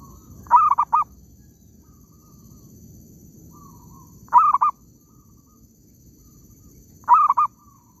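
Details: Repeated coos of a zebra dove in an oil palm plantation during trapping. Three phrases of rapid, slightly rolling notes at mid pitch, evenly spaced about three seconds apart, over steady low hum.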